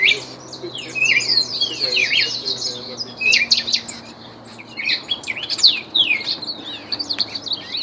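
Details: Song of a trained ultramarine grosbeak: quick, tumbling high whistles and chattering twitters in irregular bursts, with short gaps and a faint low hum behind.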